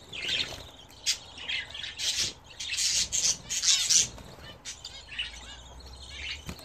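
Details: Pet budgerigars kept and bred at home, bathing: bursts of high, scratchy chirping and squawks with splashy broadband noise between them, loudest in the middle seconds.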